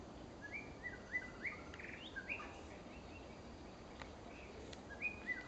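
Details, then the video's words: Female white-rumped shama calling: short whistled and chirped notes around the upper-middle range, clustered in the first two and a half seconds and again near the end, over a steady hiss of background noise. "white rumped shama母鳥小貝"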